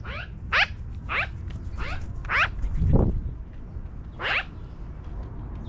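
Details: Magpies flying down from a tree give harsh, harmonic calls that each sweep downward, repeated about every half second, then a pause and one more call, over low background rumble.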